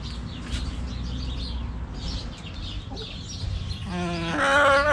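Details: Backyard chickens at a coop: small wild birds chirp high over a low hum, then near the end one loud, rich, harmonic chicken call breaks in and grows louder.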